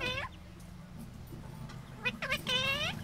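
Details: An Indian ringneck parakeet, a talking pet, gives a few short, nasal, speech-like phrases with gliding pitch, over a low background hum.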